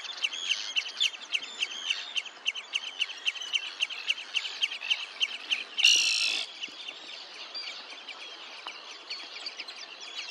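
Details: Red-necked phalarope at Olafsvik, Iceland, on 15 June 2024: short, sharp, high twittering notes repeated rapidly and steadily, about three or four a second, with a brief loud rushing burst partway through.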